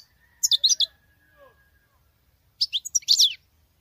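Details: Female European goldfinch with a male-like song: a rapid cluster of bright twittered notes, a thin whistled tone and soft lower slurs in the pause, then another liquid, chattering burst.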